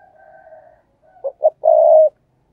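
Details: Spotted dove used as a decoy bird giving the thúc gù coo, meant to provoke wild doves. A faint, drawn-out hoarse coo comes first, then two short low notes and a long, steady, throaty coo. The background is quiet.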